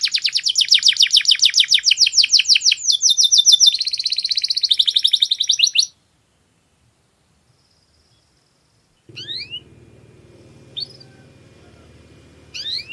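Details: Canary masteran song with a clear tone: six seconds of rapid high trills and rolls, then silence, followed by a few faint rising chirps over a low hum.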